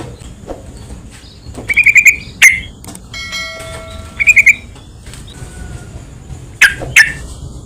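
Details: Yellow-vented bulbul sounds used as a lure to provoke other bulbuls into calling: bursts of quick, sharp chirps in rapid runs of four to five, then lone clipped notes, with faint steady tones and low background rumble.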